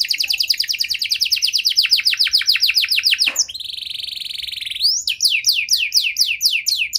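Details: Canary song used as a lure to get silent canaries singing again: fast rattling trills of repeated downward notes, a sustained buzzy tone, then louder sweeping trilled phrases.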